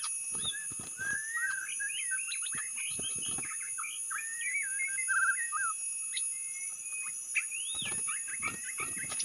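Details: White-rumped shama song used as a lure: varied whistled phrases, rising and falling slurs and warbles, with scattered clicks and steady high-pitched hiss throughout.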